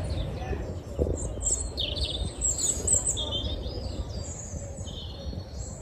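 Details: A European robin sings from a bush in Mill Road Cemetery, Cambridge, early on a February morning: thin, high, tumbling phrases of wavering whistles and trills over a steady low background rumble.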